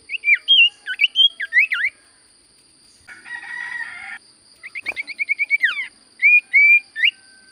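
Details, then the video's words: Common Iora song: bouncy looping whistles repeated in a run, a harsh buzzy passage, then a fast stuttering trill ending in a downslur, and three level whistles. A faint high tone continues in the background. "Burung sirtu cipoh gacor suara paling Top cer sirtu cipoh diam langsung nyaut"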